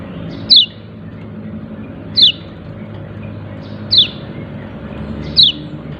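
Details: Calling yellow-breasted white-eye, "ciak ciak": four clear, piercing downslurred chirps at fairly even intervals of under two seconds, against a quiet low hum.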